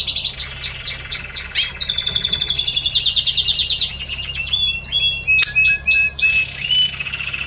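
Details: Spanish Timbrado canary song recorded on 30 May 2017: rapid metallic trills and rolling buzzy phrases, shifting into clipped high notes and short whistled slides, over a steady low hum.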